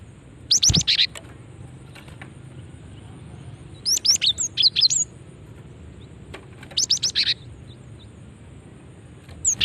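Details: Female cinereous tit calling, used as a lure to make other cinereous tits respond and call back. Three bursts of sharp, high chirps, each a quick cluster of four or five notes, separated by a few seconds of quiet.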